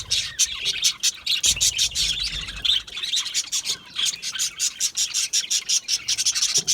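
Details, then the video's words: Aviary budgerigars, small Australian parrots, giving dense rapid chirps and scratchy warbles, many short bursts in quick succession with several birds overlapping; occasional low thumps. "Budgie chirping sounds"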